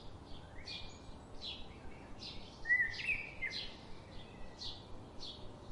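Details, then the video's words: Short, high chirps repeated roughly every half second, with a brief loud whistled phrase in the middle, over low steady background noise. "Birds sound"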